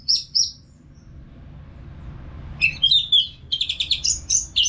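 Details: Orange-headed thrush, a caged bird from North Bali, Singaraja, singing continuously to train other birds. Two high notes come first, then after a pause a quick run of sliding whistles and rapid chirps, several per second.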